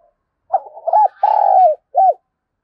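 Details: Spotted dove calling as a lure, the gọi mồi and thúc bổi style. One phrase: a few soft stuttering notes, a long sustained coo falling at the end, then a short arched closing note. Otherwise quiet.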